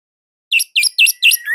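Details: Orange-headed thrush from Indonesia giving a brief phrase of its loud, tight song: four quick, rich whistled notes, each rising then falling, followed by a drawn-out rising whistle.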